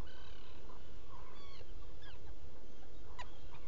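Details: Black guillemot at a nesting burrow on Seal Island NWR, Maine, recorded by burrow camera at night, 07-11-2018 between 01:46 and 02:46; faint thin whistled notes, several sliding up or down, a few short sharp ones, over a steady low hum.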